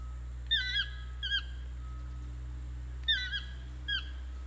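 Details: A toucan at Ojochal, Costa Rica, gives two pairs of yelping, slightly rising notes, each pair about half a second apart, over a steady low hum.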